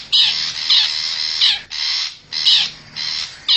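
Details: Long-tailed shrike lure call for wild forest birds: a few long, rasping, broadband squawks, each roughly half a second to a second, separated by brief pauses.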